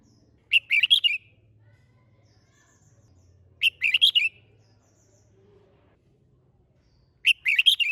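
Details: Red-whiskered bulbul kept caged for song contests repeats a crisp, bubbling phrase of several quick whistled notes three times, spaced about three seconds apart.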